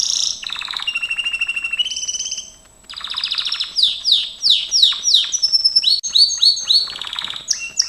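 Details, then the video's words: Gloster canary singing for training: buzzy rolling trills and steady whistled notes, a brief pause, then a quickening series of sharp descending sweeps and high chattering phrases. "Kenari gloster,GLOSTER CANARY SINGING"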